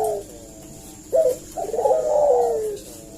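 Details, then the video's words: Lure call of a Eurasian collared dove, used to make other birds answer: a quick sharp upward note, then a long soft coo that slides slowly downward. "suara burung puter gacor ini pancingan nyaut"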